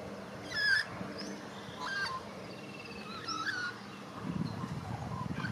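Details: Warble of a young white-backed Australian magpie in Australia, learning its song: scattered short fluting whistles, some sliding and some trilled, in uneven bursts over a low rumble of wind or outdoor noise.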